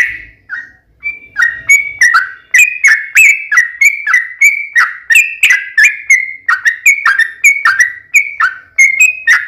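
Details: Yellow-vented bulbul delivering a lively, long rapid song used as a lure to provoke other bulbuls: a few opening whistles, then a quick stream of bright notes with clicky starts, varying slightly in pitch.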